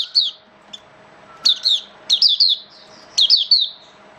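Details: A kept Oriental white-eye in wet, rainy weather on 8 October 2022 sings quick bursts of high, sweet twittering notes, three or four short phrases in close succession, with a faint steady hum underneath.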